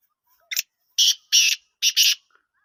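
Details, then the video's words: Kala teetar, the black francolin of the Sindhi lal potiya type, calling a loud, harsh series: one short clipped note, then four grating, rasping notes in two quick pairs, with silence around them. "Sindhi lal potiya or kala teetar"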